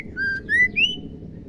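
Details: Female white-rumped shama song, played so that male shamas start singing: three pure whistled notes in quick succession, each pitched higher than the one before, the last one rising.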